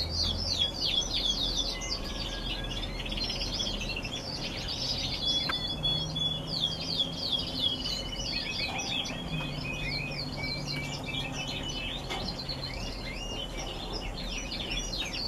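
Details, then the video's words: Several canaries singing in November, a dense continuous warble of fast trills and rolling twittered phrases, with steady low hum and background noise throughout. "Canaries singing in november."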